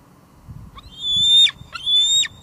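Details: Two long, high, level whistled squees from a female bald eagle visiting her nest on an evening in July 2022, each note bending down at its end. Picked up by a wildlife live cam at Two Harbors, with low background rumble.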